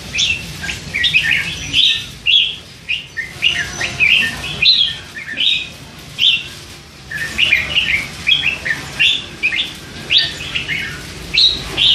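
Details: Caged, hand-reared young red-whiskered bulbul aged three months, babbling all day with bits of song phrasing slipping in; a long busy stream of quick warbled chirps and slurred notes, with brief pauses.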